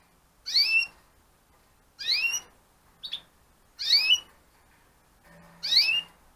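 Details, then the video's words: Calls from Gloster canaries in 2015 breeding pairs: four clear upward-slurred chirps spaced about one and a half seconds apart, one softer short peep between them, and a faint low hum near the end. "2015 Glosters Breeding - Pairs"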